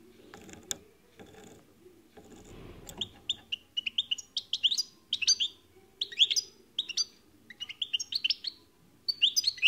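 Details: European goldfinch song: after some rustling, a lively stream of tinkling, twittering high notes and quick chirps in rapid clusters, continuing steadily over a soft low background murmur.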